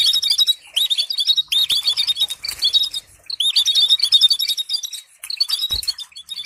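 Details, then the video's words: Lively canary song for song training, with steady high warbles and repeated upswept chirps in near-continuous phrases and one low tap near the end. "تداريب لتعليم طيور الكناري بتبتات محفزة وتغريد للتدريب على التغريد"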